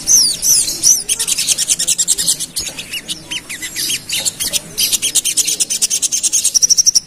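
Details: Pied fantail provoked into agitation, giving a rapid, dense run of sharp high chirps and twittering notes at a fast, irregular pace, with a few thin whistled notes at the start and end.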